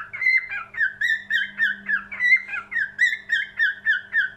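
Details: Cockatiel song indoors: a lively series of whistled, wavering notes that pulse about three times a second, with a faint steady hum in the background.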